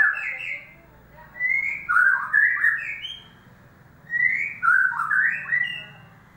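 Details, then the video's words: Oriental magpie-robin song serving as a lure for a bird that has gone quiet: two similar loud phrases about three seconds apart, each with clear rising whistles and fast slurred warbles, over a steady low hum. "pancingan burung murai batu macet bunyi"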